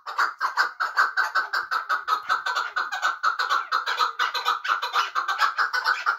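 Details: Muminobod chukar partridge, kept for hunting, calling in a fast, even train of raspy clucking notes that carry on continuously, rough and mid-pitched, close to the microphone.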